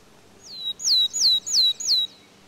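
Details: A willow tit in the UK sings its piercing 'tiu tiu tiu' song: five clear, down-slurred notes evenly spaced about a third of a second apart, with no other sounds.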